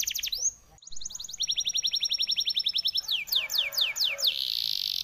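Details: Canary song in the 'ngoceh dor dor' style. A rising whistle and an abrupt cut lead into a quick, even trill over a held tone, then a few slow downward swoops and a buzzy rush.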